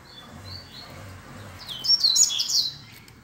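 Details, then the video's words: Double-collared seedeater, called coleiro, in a singing contest: after soft, faint whistled notes, a brief loud burst of high, jumbled twittering under a constant low rumble. "Coleiro Disputa de Canto"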